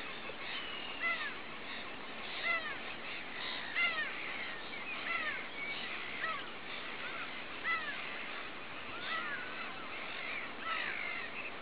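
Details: Mediterranean gulls, one a white-ringed bird E117, recorded 14 May 2010; repeated nasal, down-slurred calls from several birds at once, loud and overlapping about every second or two, against steady broadband background noise.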